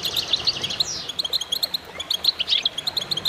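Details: Goldfinches singing together, a quick twittering run with one descending slurred note, then evenly spaced bright chirps repeated several times a second.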